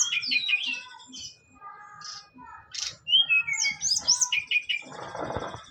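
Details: Brown-chested jungle flycatcher from Bali, a kept songbird, singing persistently during a mental test: rapid mix of sweet whistles, chattering trills and slurred high notes, ending with a harsh burst of noise.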